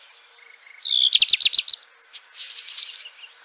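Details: Black redstart (Phoenicurus ochruros) singing: a few high, thin whistles slide down into about six quick, ringing strokes, followed by a softer crackling, hissy rattle.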